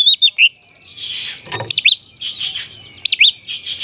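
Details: Oriental magpie-robin song for agitating other magpie-robins: short looping whistled notes alternating with harsh buzzy rasps, a brief low thump midway.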